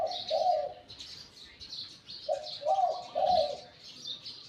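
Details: Spotted dove, a wild decoy bird with a medium-to-deep Liu Tan voice. A drawn-out coo is followed after a pause by a short note and two rolling coos. Background birds keep up a busy high twittering.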